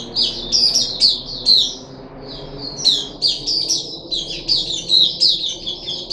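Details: High chirping run from a puff-backed bulbul on day three of deworming, 14 July 2021: bright repeated notes, a short pause near the middle, then rapid warbling resumes.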